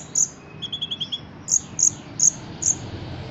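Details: Ruby-cheeked sunbird, a caged songbird in Indonesia trained for song competitions, singing eagerly with cotton-cricket fill-ins: sharp high chirps at irregular intervals and a brief buzzy cricket-like trill of about six pulses early on.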